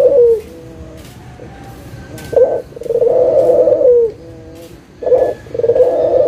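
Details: Local Indonesian puter dove call used as a lure to get quiet doves calling again: loud, low hoarse coos around a steady pitch, the first short, then two long rolling phrases separated by softer fluttering tones.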